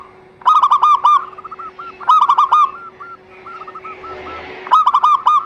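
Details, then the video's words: Zebra dove song played to encourage others to sing: three loud bursts of rapid, ringing, hooked notes, with softer notes from another dove between them and a faint hum. "Terapi Perkutut MaLas Bunyi_Rutinkan Pancingan Ini Pagi Siang Sore 100% dijamin Cepat MANGGUNG"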